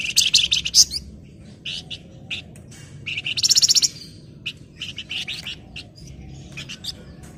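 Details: Flamboyan in breeding condition singing hard at a rival: a dense stream of sharp high chips and buzzy notes with a loud rapid pulsed trill around 3.5 seconds, calling almost without pause.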